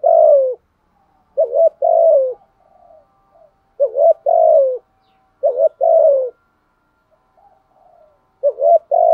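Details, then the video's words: Decoy spotted dove cooing to provoke wild doves: spaced phrases of short paired notes and long falling coos, with quiet faint murmurs between bursts and otherwise silent surroundings. "chim cu mồi thúc gù bài bản nhất hiện nay, chim cu gáy kích bổi hiệu quả nhất hiện nay"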